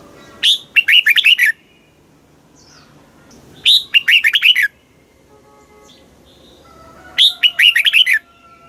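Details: Southern master-pattern song of a red-whiskered bulbul from Thailand, meant to excite caged birds and coach chicks: three bright warbled phrases, each opening with a high sharp note, coming about every three seconds over faint background hum.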